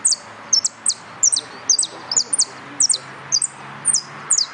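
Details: Yellow canary in a singing contest pours out a steady series of sharp, high, descending chirps, often paired, about two or three per second throughout, over faint background noise.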